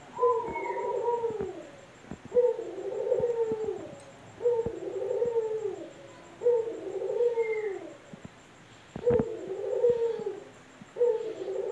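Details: Male Barbary dove flying free in a house, cooing persistently: a string of five or six deep, rolling, downward-curving coos at about two-second intervals, with occasional soft knocks.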